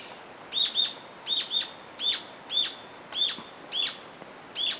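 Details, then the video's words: Rufous-tailed Jacamar gives sharp, high, slightly descending notes, often in quick pairs, repeated about every two-thirds of a second over a faint background hiss. "Rufous tailed Jacamar"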